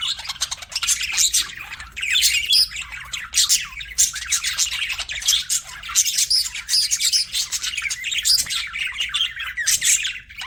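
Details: Flock of budgies chirping continuously, a dense overlapping wash of bright twitters, squeaks and warbles throughout without pause, loud and busy.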